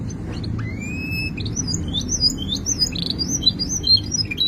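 A canary sings a fast, high warbling song: long clear rising whistles, then quick bright chirps and trills strung together, over a low background hum.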